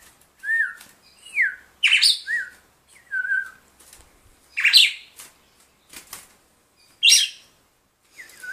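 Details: Caged red-cowled cardinal gives a series of short, clear whistled phrases that rise then drop, each about a second apart, mixed with loud broadband rustles and wing flaps.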